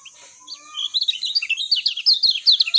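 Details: Lemon-bellied white-eye, clear natural song: after a quiet start, a rapid run of high twittering notes builds and continues densely to the end, each note a short bright slur.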